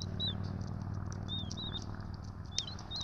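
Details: Two bald eagle chicks being fed by their parents at the nest on 12/03/2024, ETSU nest camera, Johnson City: thin, high whistled peeps, several short slurred notes scattered through, over a steady low hum.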